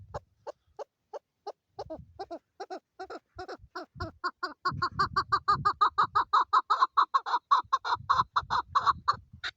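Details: A female chukar partridge calling in Pakistan: clucking notes start spaced out, then speed up into a loud, rapid run of harsh chuck-chuck calls, with some low rumbling noise underneath.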